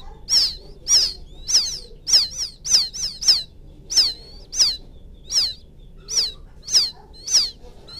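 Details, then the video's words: Field quail chick summoning its mother with a steady series of piercing, high, falling peeps, roughly two per second, some in quick pairs, against a quiet background. "Suara pikat anak burung puyuh memanggil indukan,suara anak puyuh ladang,puyuh sawah"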